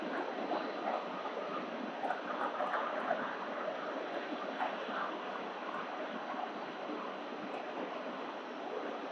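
Steady broadband rumble like wind or distant traffic, with a few faint clicks and no clear animal voice.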